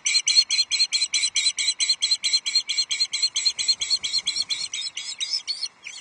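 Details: Ospreys at Loch Arkaig nest two on 11 July 2023 as a headless trout arrives at the nest: a continuous run of loud, harsh, evenly spaced chirping notes, roughly two per second, fading slightly at the end.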